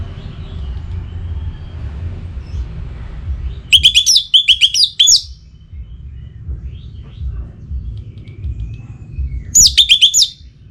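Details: Orange-headed thrush (Geokichla citrina), from northern Bali, singing to lure a rival and stir breeding excitement, giving two bursts of rich, rapid, high whistled phrases about six seconds apart, over a low steady rumble.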